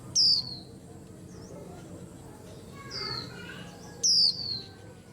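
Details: White-eye in a busy setting: two bright, high whistles sliding downward about four seconds apart, with soft twittering and warbled notes from other birds in between.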